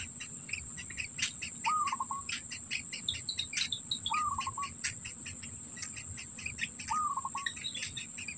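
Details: Black bittern nesting, food held in its mouth for its young; three brief calls about two and a half seconds apart, each a level note ending in a rapid stutter, over busy insect chirping and a constant high hum.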